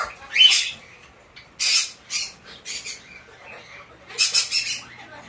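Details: White-bellied parrot chick, hand-tame, uttering a few loud raspy squawks spaced about half a second to a second apart, separated by near silence.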